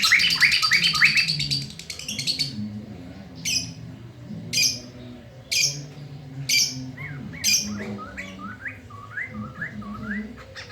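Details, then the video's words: Black-throated laughingthrush singing loudly at midday: a fast, busy chatter of notes at first, then harsh bursts repeated about once a second, then short slurred whistles, over a low hum of voices in the background. "SUARA POKSAY MANTEL DI SIANG HARI GACOR"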